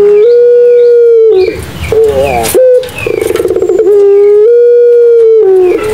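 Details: Barbary dove of the Madura pelung type, cooing: long, steady, drawn-out tones that fall and rise slightly, broken by a rapid buzzy pulsed roll and short rough notes. The sound is loud and harmonic-rich.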